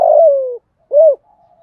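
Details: End of a spotted dove decoy's cú huých phrase, sung to pull in wild doves: a long buzzy coo gliding down, a pause, then one rounded closing coo and a faint trailing tone.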